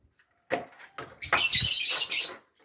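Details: Fischer's lovebirds kept as ornamental birds with nests in Safi: a couple of short chirping calls, then a loud, harsh, buzzy screech lasting about a second inside a small room.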